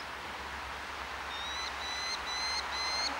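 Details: Orphaned Merlin fledgling begging for food in Engerdal on 4 July 2011: from about midway, four thin, high, slightly rising whistled notes come roughly every half second over a steady broadband hiss.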